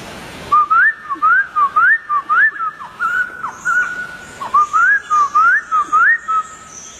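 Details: Wild White-crested Laughingthrush delivering a brisk string of upward-swooping whistled notes, evenly spaced at roughly two per second, with a few flatter whistles and downward slides in the middle.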